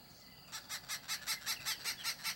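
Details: Arrow-marked babbler babbling at a hide in Pilanesberg National Park, South Africa, in late December: after half a second of quiet, harsh, grating chattering notes start, about five per second, in a steady rhythm.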